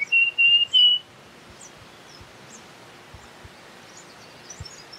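Russet-crowned warbler: three quick, clear whistled notes at an even mid-high pitch, then faint, thin high chips over soft background hiss.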